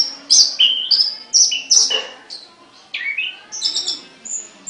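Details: Caged songbird singing sharp, high chirps in quick clusters, with some downward-sliding whistles and a short pause midway before further thin, high notes.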